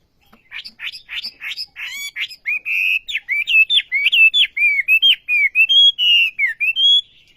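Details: Olive-backed sunbird in lively full song: quick sharp chirps at first, then a steady stream of bright whistled notes, each slurring up or down, repeated about one and a half times a second, with no other sounds.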